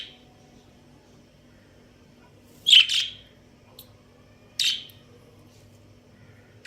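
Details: Budgerigar breeding pair: a loud double chirp, a faint tick, then a single harsh chirp about two seconds later, with quiet pauses on either side.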